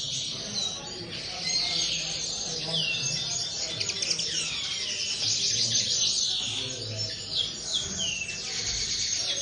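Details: Common linnet song from an aviary bird: a rapid, unbroken twitter of bright chirps and descending whistled notes, with a faint low hum in the background.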